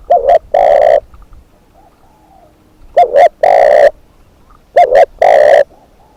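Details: Spotted dove decoy bird calling: three low coo phrases, each beginning with two brief notes and ending in a prolonged hollow coo, separated by pauses of one to two seconds.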